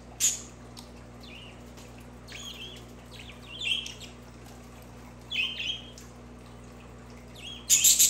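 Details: Budgerigar chatter of scattered short chirps and twittering notes in loose bursts, ending in a sudden loud, rasping squawk, with a faint steady hum beneath.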